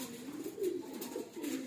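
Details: Loft pigeons, a flock of kept birds: several short, low murmuring coos in quick succession, soft and throaty, with faint background hiss and occasional light knocks.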